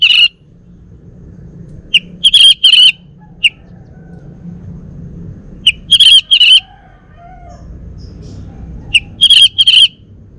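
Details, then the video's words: Male Bali orange-headed thrush kept at home in Singaraja, North Bali, giving sparse short phrases of two or three bright whistled notes separated by long quiet gaps over low hum. "Kicau Burung ANIS MERAH Bali Jantan"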